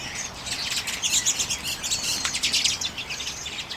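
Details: Several common redpolls eating sunflower seeds in late January 2022 keep up a dense, rapid chatter of sharp, high twittering chirps, notes crowding one another in quick bursts, loudest near the middle.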